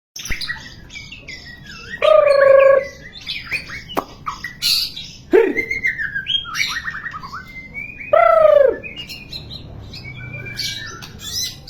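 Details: White-rumped shama singing a varied medley: loud sustained whistles near two and eight seconds mixed with rapid chirps, trills and sharp high notes, with faint background noise.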